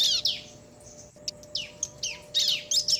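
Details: Male and female bar-winged prinias trading song, heard as a brief run of high, sharp chirps and buzzy, down-slurred notes spaced unevenly, over a faint constant background hum.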